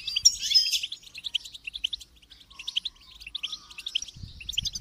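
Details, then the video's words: Goldfinch song opening with a loud buzzy flourish, then quick repeated high chirps, about three per second, and a soft low rumble at the end. "Motivating Song of the Goldfinch"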